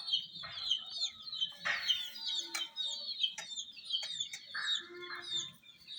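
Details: ['Domestic chicks chirping around miniature jeep toys, overlapping high piercing peeps throughout, with a few clicks and a faint low hum.']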